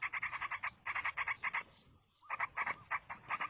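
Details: Yellow-vented bulbul chicks in the wild being fed by a parent: rapid bursts of buzzy, nasal pulsed notes in quick runs, a short pause, then another run of harsh repeated notes.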